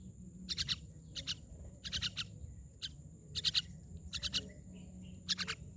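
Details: Loud myna calls: clusters of two or three sharp, harsh, rasping notes, grouped and repeated about every half second to second. Faint low rumble in the background.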